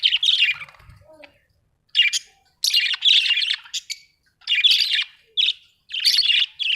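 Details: Budgie giving harsh, scratchy chirps and squawky chatter in separated bursts, each lasting under a second, with brief silences between.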